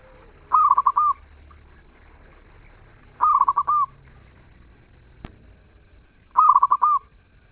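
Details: Zebra dove singing actively with a melodious voice: three cooing phrases about three seconds apart, each a quick stutter of four or five mellow notes closing on a longer, drawn-out coo, with a single sharp click between phrases.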